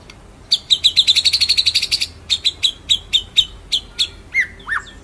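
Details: White-rumped shama delivering a ngerol nembak passage: a quick train of sharp, evenly spaced chip notes, then slower separate chips about every third of a second, closing with a falling slurred whistle.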